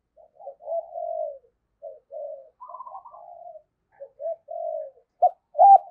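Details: Decoy spotted dove calling to bring in wild birds. Mostly soft, low, drawn-out murmuring coos with a brief wavering higher run, ending in two loud, sharp hoots.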